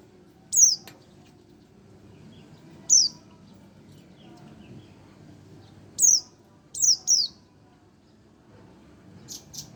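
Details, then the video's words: One-month-old Oriental white-eye giving scattered high, thin descending chirps, about five notes irregularly spaced, some paired closely, over a low background hum. "burung pleci 1 bulan"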